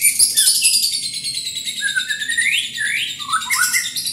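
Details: White-rumped shama in energetic song, a dense high-pitched stream of sharp chirps and sweeping whistles, with several clear notes rising and falling lower in pitch toward the end.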